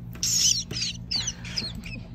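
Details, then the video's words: Loggerhead shrike chicks give harsh, raspy, hissing bursts roughly every half second, over a steady low mechanical hum. "Baby Loggerhead Shrikes"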